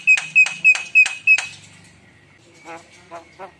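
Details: Javan myna singing vigorously (gacor), its song packed with rich fillers (isian): five sharp, buzzy notes with a bright whistled tone, evenly repeated about every third of a second, then three softer, lower notes after a pause.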